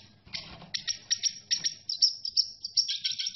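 A red siskin sings a fast, high twittering song of buzzy chips and thin trills, notes tumbling out several per second with little steady rhythm.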